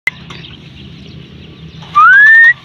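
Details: A myna foraging for food gives a single clear whistle that slides upward for about half a second, over a low background rumble and a sharp click at the start.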